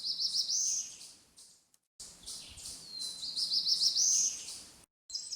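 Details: Black-throated blue warbler singing on a walk at Holt Pond Preserve: buzzy, high, rising phrases, each ending in an upward slur, two songs in quick succession.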